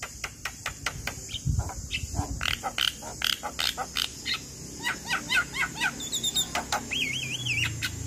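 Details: Male Javan myna song used as a prompt to get reluctant or moulting mynas singing: a rapid run of short, sharp clicking and chipping notes, then looping, wavering whistles near the end, over a steady high hiss.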